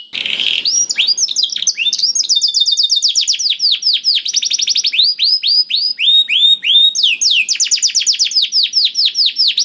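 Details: Continuous canary song used to get a reluctant bird singing: a harsh opening burst, then long rolling trills of quick down-slurred notes shifting speed and pitch, loud and unbroken.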